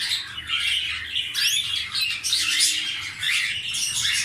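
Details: Canary from a caged breeding pair with eggs, singing a dense, continuous run of high chirps, buzzy trills and quick whistled sweeps with hardly a pause.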